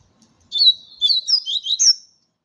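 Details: Double-collared seedeater singing a territorial challenge song in campeada style: a rapid, high twittering phrase of sharp chirps and short whistled slurs, about one and a half seconds long, with a quiet background.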